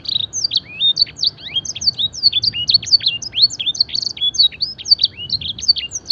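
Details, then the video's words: Canary with luxurious blackthroat-style song fill, for song training: a long, steady torrent of high whistled sweeps, hooks and slurs with barely a gap, sounding sharp and clean. "masteran suara burung kenari full isian mewah blackthroat dan sanger gacor"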